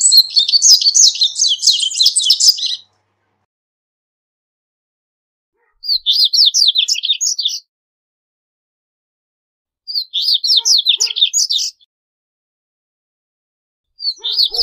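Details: Double-collared Seedeater, locally corbatita, singing, with the recording meant for teaching and calling birds: four bright, high warbling phrases of rapid chattering notes, each two to three seconds long, spaced roughly every four seconds with silence between.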